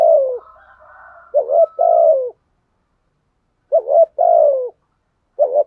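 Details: Spotted dove used as a lure bird, cooing: short bursts of low hollow coos, each a quick double note followed by a longer drawn-out falling coo, separated by silent pauses; clean and close.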